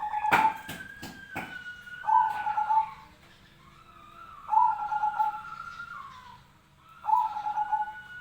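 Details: Zebra dove fighting call, recorded as training material for birds: a few sharp clicks open the clip, then trilled coo phrases repeat about every two and a half seconds, each preceded by a drawn-out whistled tone.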